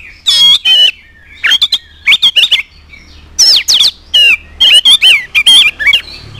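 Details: Oriental magpie-robin in full loud song, used as a lure to provoke other magpie-robins into singing: rapid bursts of sharp whistles, rising and falling slurs and harsh squawky notes in quick clusters.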